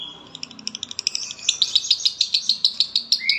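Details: Konslet-style lovebird song from Palembang: a fast run of sharp, high chirps, roughly three per second and growing louder, ending in a brief rising whistle.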